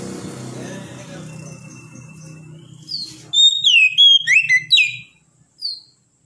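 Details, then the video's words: Oriental magpie-robin giving a short burst of bright, high whistled notes that slide up and down, after a quiet stretch of low hum and faint high trills. "TERAPI KACER MENTAL NGEDON"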